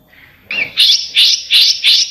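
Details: Besetan-style song from a songbird: a short soft lead-in, then four loud, harsh, buzzy high notes spaced about a third of a second apart.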